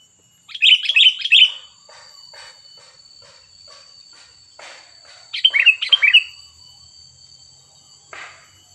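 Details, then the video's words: Sooty-headed bulbul singing a fierce 'cengkram' point: two bursts of rapid, bubbly, warbled notes about five seconds apart, separated by soft ticking sounds, with a steady high electronic whine throughout. "poin cengkram burung kutilang super ganas"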